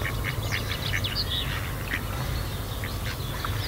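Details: Female Mallard calling during rough mating at Kirriemuir RSPB, Scotland, while a second male attacks the mating male; a rapid run of harsh quacks repeats through the recording over low rumbling background noise.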